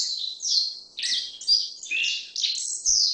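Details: Black-faced bunting delivering a nearly unbroken run of high, buzzy, slurred chirps that rise and fall, with a few soft low knocks in the background.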